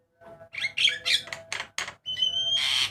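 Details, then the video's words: Javan myna, a white-eyed bird, singing a varied master song used to train cage birds: harsh raspy bursts, then a long steady whistle ending in a loud rasp, over a constant low hum. "JALAK KEBO MATA PUTIH KICAUAN MANTAP"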